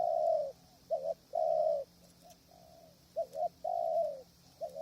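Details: Spotted dove used as a decoy at a krajom tent trap, strong wind, wild doves far off; a short stuttered double coo alternates with a long, mellow, slightly falling coo, repeated steadily over a faint background hiss.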